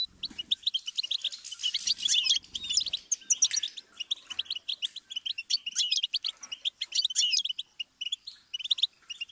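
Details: Song of a goldfinch meant for tutoring songbirds: a long run of fast chattering, tinkling notes and buzzy trills, dense at first, then in looser bursts, with faint low rustling early on.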